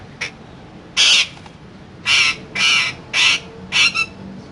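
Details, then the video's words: Pet parrot squawking: five harsh, raspy bursts of about a quarter second each, spaced irregularly, over steady background noise. "Raw Parrot Talking"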